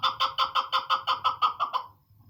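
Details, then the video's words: Female chukar partridge repeating a clear, throaty chuk note about five times a second, ten notes in an even series that fades out at the end. "smart sound of chakor krklik sesi chakor birds"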